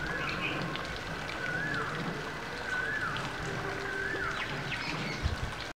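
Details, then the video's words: In spring turning to early summer, a cuckoo sings beside a waterbody near an apartment building, repeating a short, clear rising-then-falling phrase about every one and a half seconds over steady outdoor hiss. "It is spring and cuckoos are singing"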